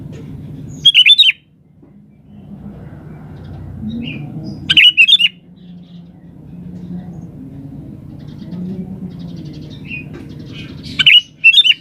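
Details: Sooty-headed bulbul in vigorous chatty song meant to draw other birds to answer: three loud bubbly whistled phrases about five seconds apart, faint chirps and a low humming background between them.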